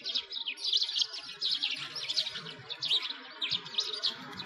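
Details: Many sparrows chattering beside an iced-over lake in Bratislavsky Park, Moscow, Russia, in winter: rapid, busy high-pitched chirps overlap in a steady chorus, with soft low murmur underneath.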